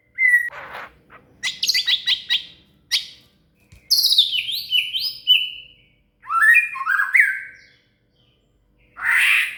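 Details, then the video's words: Murai, or shama, singing as tutor material for a cililin: a rich mix of rapid chip series, bright descending whistled runs and twisting warbled phrases, broken by short pauses, ending in a harsh burst. "SUARA MURAI"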